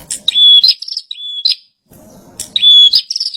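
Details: Singing kept bar-winged prinia: two bursts, each a thin steady high whistle flanked by rasping buzzy notes, separated by a short pause with faint low background noise.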